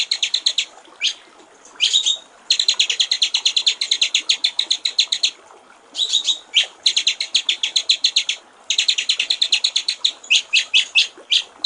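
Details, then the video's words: Clear-voiced gericik air (water-trickle) song of a white-rumped shama, used as a training master: long bursts of rapid, bright chipping notes separated by brief pauses and occasional rising whistled accents. "masteran murai batu/ suara jernih gericik air"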